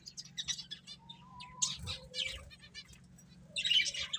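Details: Finches eating and playing, chirping in short, high, clustered notes with a few brief whistled tones; several birds call at once amid soft background hum.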